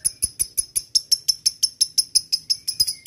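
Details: Male lovebird challenging a rival with ngetik: crisp high-pitched ticks in an even series, roughly three per second, clear against a quiet background.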